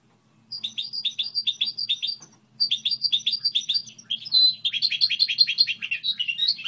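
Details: Goldfinch hybrid performing its song model: evenly repeated high chirps in quick series, a short break, more chirp runs, then a sustained whistled note leading into a dense, lively twitter; faint hum beneath.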